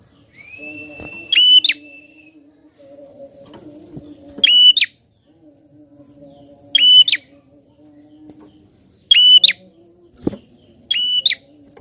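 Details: Prinia in persistent full song, used to stimulate other birds to sing: a high steady whistled note ending in a sharp falling slur, the two-part phrase repeated about every two to three seconds, five times, over a low constant hum.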